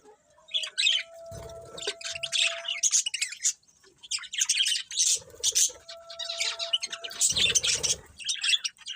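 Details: Budgies twittering continuously, many high chattering chirps and scratchy warbles overlapping, with a steady faint tone running beneath parts of the chatter.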